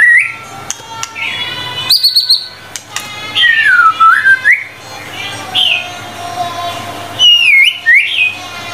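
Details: White-rumped shama tutor song of 25 materials: spaced whistled phrases with pauses, including a long dipping whistle that swoops down and back up, brief high bursts and quieter warbles between.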